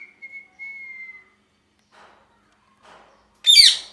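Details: A parrot whistles one long steady note that sags slightly in pitch, a few faint rustles follow, then a sudden loud harsh screech closes the sequence.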